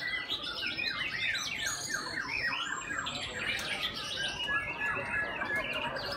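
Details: Competition session 7 with white-rumped shamas in full song: quick slurred whistled notes in rapid descending runs, overlapping rich phrases from more than one bird, low crowd rumble beneath.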